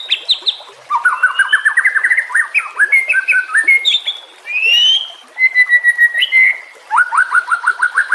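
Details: White-rumped shama song used as a master for teaching other cage songbirds: rising series of clear whistled notes, a fast stuttering trill, a sweet swelling phrase near 4 seconds, then quick repeated upslurs.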